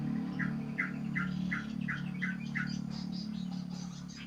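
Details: Sooty-headed bulbul in the wild countryside: a series of short, clear mid-pitched notes repeated about every 0.4 seconds, with higher chirps later, over a steady low hum.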